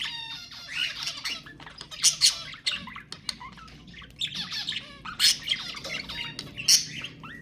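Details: Budgerigar song played to stimulate pairs to mate: dense chattering warble of rapid buzzy squawks, clicks and short whistles in bursts, with brief pauses between rushes of notes.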